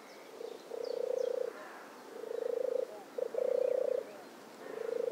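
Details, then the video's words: Rolling, vibrating purrs of a European turtle dove, each phrase about three quarters of a second long and often preceded by a short stutter, repeated steadily while distant small birds chirp faintly. "Vogelstimmen: Die Turteltaube - Turtle dove - Streptopelia turtur"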